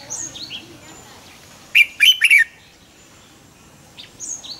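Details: Caged decoy red-whiskered bulbul singing in the morning, double-note wild-style song meant to make other bulbuls sing: one rich, rapid warbled phrase mid-clip, with thin high slurred whistles from another bird before and after.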